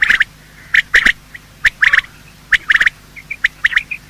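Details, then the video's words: Quail of both sexes giving morning calls, used in quail hunting: spaced clusters of two or three sharp chirps, with faint soft whistles between them. "Quail calling sound: master the Art of Quail tripping | Bater Awaz Subha"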